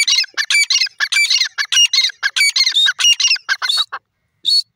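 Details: Grey francolin, locally called teetar, calling: a rapid, dense series of loud, harsh, squawking notes lasting about four seconds, then a short silence and one final note. There are no other clear sounds.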